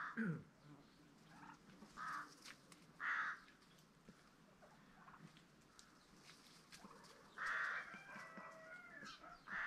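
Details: Peafowl kept on a farm housing green and Spalding varieties give repeated short, nasal honking calls at irregular intervals, with a low grunt at the start and softer background bird notes.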